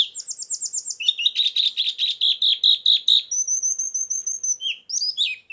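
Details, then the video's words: White-eye lure song with filler: a quick series of high chips, then a long run of fast repeated notes, then a thin sustained whistle, ending in a few falling twitters. "suara burung pleci pikat+isian"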